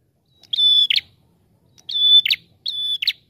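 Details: A prinia, a red-headed prenjak kept as a lure for trapping birds, gives three high, drawn-out whistled notes, each ending in a brief buzzy flourish, repeated about once a second against a quiet background.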